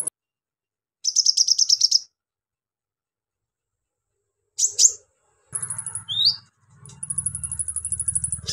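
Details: Kolibri ninja, the brown-throated sunbird, singing harshly to provoke untrained sunbirds: a fast, very high buzzy trill, a long silence, sharp squeaks, then extended thin rattling trills with a brief dropping whistle, low hum behind.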